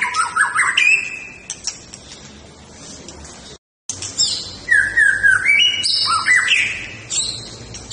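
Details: White-rumped shama in fighting-style song: varied slurred whistles and rising notes, a short silent break, then stepped descending whistles and high, sharp phrases.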